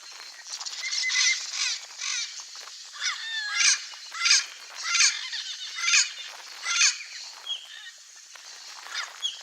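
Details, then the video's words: Wild turquoise-fronted amazon calling in Brazilian natural habitat: a series of loud, hoarse, rolling squawks about every second, mixed with some thinner whistled notes from the flock. "Sounds TURQUOISE-FRONTED PARROT, Singing"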